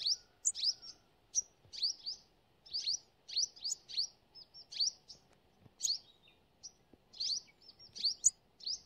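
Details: Sunbird of the forest keeps up a steady stream of sharp, high, upswept chip notes, in clusters of two or three, against near silence.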